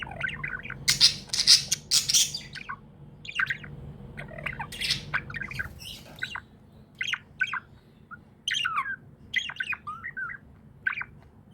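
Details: Happy pet budgerigar chirping: a dense run of loud, harsh squawks and bright warbled chirps over the first six seconds, then sparser short rising and falling chirps with pauses, over a low steady hum.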